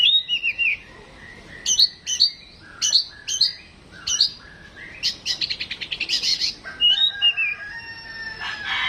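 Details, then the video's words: A household Oriental magpie-robin in a mental test. Rhythmic pairs of sharp chips give way to a quick rattling trill, then sliding whistles and a rough buzzy burst. "tes mintal burung Kacer rumahan"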